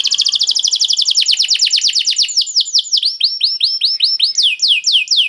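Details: Canary bait song meant to get other canaries singing: an unbroken rapid trill of descending whistled sweeps that gradually slows and broadens into wider arched notes, clean with no other sounds.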